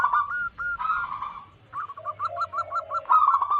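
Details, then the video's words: Zebra dove of local wild origin used as a trapping lure; short warbled coo phrases followed by a quick run of clipped repeated notes and a final bubbling burst. "Lokal Alam gacor pancingan pikat burung perkutut Paling ampuh."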